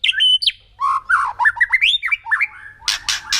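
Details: White-rumped shama kretekan used to provoke rival birds: a varied, warbling run of fast rising and falling whistled notes, then three loud harsh crackling bursts.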